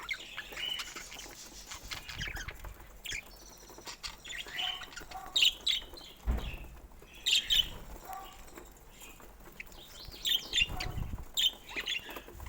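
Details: Pet budgerigars chirping and warbling in irregular bursts, with sharper high notes clustered around the middle and later parts, plus occasional low thumps and rustles.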